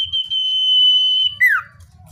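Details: Common iora, natural sound for luring wild birds: a long sustained high whistle on one pitch drops suddenly into a short downward-sliding note. Low background rumble.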